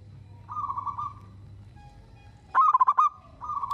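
Zebra dove cooing: a soft drawn-out coo, then a loud burst of five or six quick staccato notes ending in a held tone, and another coo.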